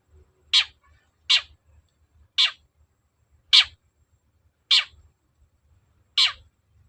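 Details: Long-tailed shrike calling loudly as a lure to make another shrike respond: six rough, rasping notes repeated about once a second with slightly uneven spacing, each trailing downward, against a quiet background.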